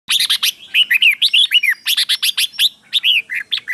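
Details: Red-whiskered bulbul, a caged 'double' singing bird used as a tutor for young birds to copy; rapid run of loud, slurred whistled notes, some rising and others falling, packed densely with barely a pause throughout.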